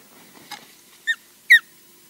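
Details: Osprey EJ at Loch Garten nest, Scotland, arriving and calling, on and off the camera post: two short, sharp whistled chirps about half a second apart, each slurring downward, after a soft click; otherwise quiet.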